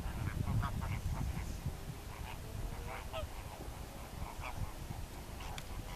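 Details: Greater flamingo flock giving a steady chorus of short nasal honks, overlapping and irregular, with constant low background murmur.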